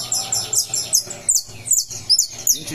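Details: Saffron finch, a cage bird coming out of moult, recorded on 20 July in Brazil, sings a fast series of high, sharp, descending chirps and trills, bursts repeated several times a second, with faint background hum.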